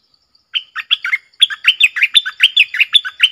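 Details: Red-whiskered bulbul pouring out a long, clear 'double' song for luring: a rapid, continuous string of bright warbled whistles, many notes in quick rhythm for nearly three seconds, vigorous and sweet.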